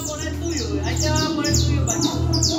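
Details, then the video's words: Canario criollo, a creole canary kept in a fibre cage in Manhattan, singing in the cruzeta style: rapid high descending sweeps repeated in bursts over a steady low hum, with men chatting in Spanish. "Canario Criollo Él Tremendo en Cruzeta Bien Candela"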